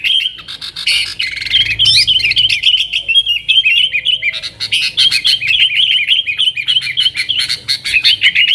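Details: Yellow-vented bulbul pouring out lively nggaruda-style song to lure wild sooty-headed bulbuls: a continuous, fast chatter of short rising and falling notes, about three per second, lasting the whole stretch.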